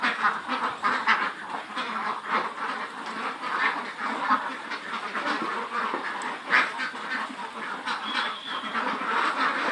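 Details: A large flock of about 400 Khaki Campbell ducks, over 110 days old, on a farm in Muktagacha, Mymensingh, quacking at once in a dense, continuous chorus of overlapping nasal quacks with no pauses.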